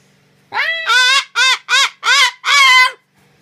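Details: An umbrella cockatoo gives six loud, harsh, nasal squawks in quick succession over about two and a half seconds, each rising then falling, with nothing else heard.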